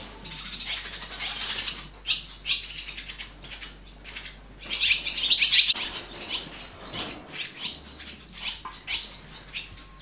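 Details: Swallows raising chicks in the nest: a loud, buzzy chirping chorus at the start, then irregular bursts of shrill notes mixed with soft fluttering.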